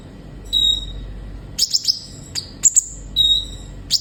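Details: Olive-backed sunbird song used to encourage captive birds to sing: thin level whistles framing a few sharp, very high chip notes, delivered in short spaced phrases.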